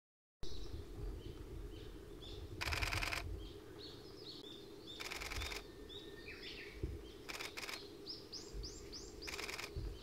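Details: Male Japanese thrush filmed 6 June 2020 on Mizusawa forest road, Tanzawa, Japan, singing short, varied whistled and chirping phrases; rapid camera-shutter bursts break in several times over a steady rushing background.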